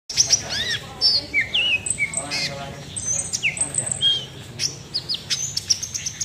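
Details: Sunbird singing vigorously in the Indonesian 'nembak' style: high thin whistles, rising and falling slurs, and sharp chirps tumbling in quick succession, with a faint low hum underneath.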